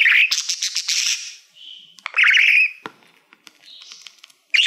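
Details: Pet male budgerigar singing to a shiny silver award plaque: a whistled note and buzzy rattling trill, a soft whistle, then a rising whistled warble, scattered quiet ticks and a final sharp chirp.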